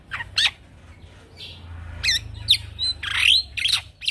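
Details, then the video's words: Rolling 'ngeroll' song of a young male black-winged myna used to train other birds: harsh squawky notes and dry rasps alternating with bright twisting whistles. "Jalak Pito Jantan Muda Gacor Ngeroll"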